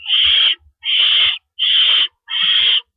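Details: At an owl nest in the early hours of April 4, 2012, during rabbit food deliveries: four loud, hissing screeches, each about half a second, coming at a steady pace with short silent gaps.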